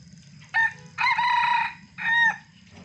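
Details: Red junglefowl crowing in the morning, lively and noisy: a three-part harsh, harmonic crow, a brief first note, a longer rasping middle phrase, then a short clipped ending, over a steady low hum.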